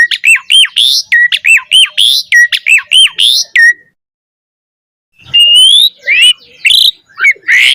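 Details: Black-collared starling song used to train other starlings: a rapid run of about a dozen identical looping whistled notes, a pause, then varied rising whistles and harsh notes.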